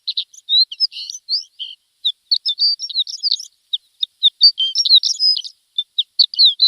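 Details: Javan bush lark tutor song for untrained birds: scattered sharp ticks and short buzzy chirps mixed with brief whistled slurs, an irregular stop-start twitter.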